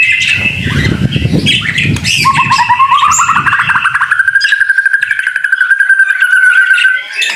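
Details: White-rumped shama singing during rain, masteran style: mixed whistles, then a long, evenly repeated rapid series of notes that rises and holds steady, with low rumbling early on.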